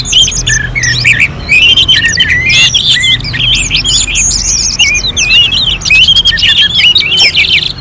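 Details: Orange-headed thrush in full contest-like song for bird training: loud, crowded phrases of looping whistles, buzzy squawks and quick chirps, the notes overlapping densely for the whole stretch.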